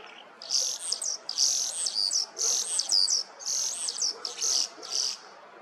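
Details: Common starling singing early in the morning, 21 April 2023; high whistled notes with sliding, looping phrases, in bursts of about a second repeated roughly every second over faint background hiss.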